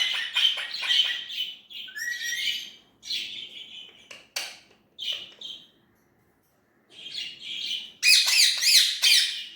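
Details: Indian ringneck parrot chatters in fast, bright, scratchy syllables, several per second, in phrases broken by short gaps, ending with a loud, rough burst of rapid chatter.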